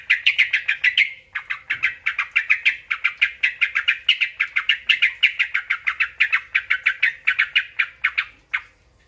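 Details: Sooty-headed bulbul singing to draw replies from other bulbuls, a steady stream of quick, sharp repeated chirps, fast and even, continuing almost nine seconds before stopping abruptly, with nothing else audible.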